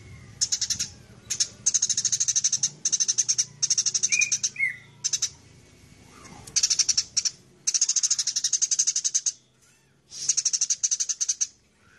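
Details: Fighting Eurasian tree sparrow, known locally as burung gereja: repeated clusters of quick, thin chirps, each burst about a second long, separated by brief pauses, with an occasional lower twisting note.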